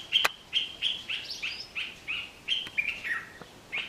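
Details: Male Dark-capped Bulbul singing in courtship to attract a female: a quick run of bright, liquid chirps and slurred notes, about three per second, with sharp clicks between them.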